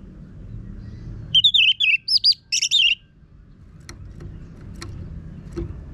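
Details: Energetic harsh-voiced song of an orange-headed thrush, used as a lure to get birds singing: a fast run of looping whistled and chirping notes lasting about two seconds, then low background noise with faint clicks.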